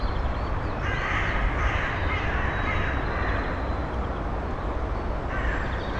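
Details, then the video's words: Female Eurasian eagle-owl and nestlings at a nest box, early May, recorded without a directional microphone: several rough, hoarse bursts early on, then a quieter gap and one more rasp, all over constant low-pitched background noise. "Eagle Owl-Uhuline + Uhunestlinge in der Nisthilfe Anfang Mai gefilmt."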